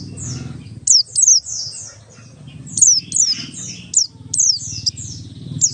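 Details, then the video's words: Oriental white-eye of the Buxtoni type, ngalas song used to lure other white-eyes into singing: repeated high falling whistles and softer slurred notes over a steady low hum. "pleci Buxtoni ngalas 12345 pancingan pleci bahan agar cepat bunyi"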